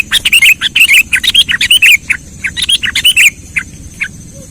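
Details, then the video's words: Lure call of a sooty-headed bulbul, played to attract birds for trapping: a rapid run of bright, bubbly chirps and warbled notes for over three seconds, then a few scattered single chirps. "SUARA PIKAT BURUNG KUTILANG"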